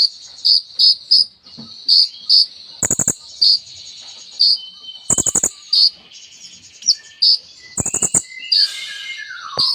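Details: Kolibri ninja sunbird pouring out a mimicry-filled song of short piercing high notes, repeated roughly every half second, broken by three loud dry rattling bursts and a few brief descending slurs.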